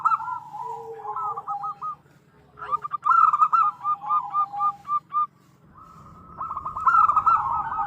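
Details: Calling female zebra dove summoning a male, local type; rolling sequences of short coos, one louder run broken into evenly spaced notes, then a drawn-out churring coo, with a low background hum.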